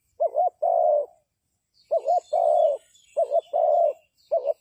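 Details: Trapping decoy spotted dove cooing: repeated phrases of a short doubled note then a long mellow coo, with soft high chirps of other birds in the background.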